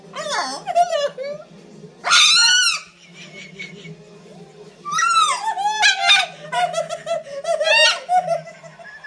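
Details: A macaw sitting on its owner's arms screams repeatedly: loud, harsh screams in bursts about every two to three seconds, with raspy chatter and squawks between and a low indoor murmur.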